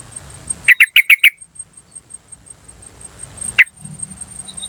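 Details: Wild yellow-vented bulbul recorded in nature as a lure call: a quick burst of four sharp, clipped "cuk" notes, then a single note a few seconds later, over a steady high thin whine and faint low rumble.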